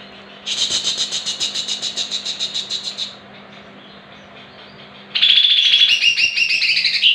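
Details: Greater green leafbird song used as a lure to make other leafbirds respond and sing in the full 'muntah beling' style: a fast run of repeated chattering notes for about three seconds, a pause, then a loud rising, trilling phrase.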